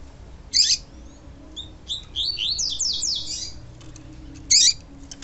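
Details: Double-collared seedeater (Sporophila caerulescens), pure "tui tui" song: a rapid run of high, sweet slurred notes framed by short sharp chirps, likely female calls, used to excite the male.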